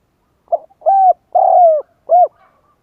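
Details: Spotted dove lure call for wild doves: one clean phrase of a short soft note, a sustained coo, a longer slightly falling coo and a short arched coo, with nothing else heard.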